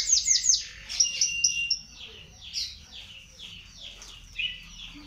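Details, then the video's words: Panda canary learning to sing, giving soft high-pitched chirps and short thin slurred notes in loose series, quieter than the background hiss. "Kenari Panda Belajar Gacor"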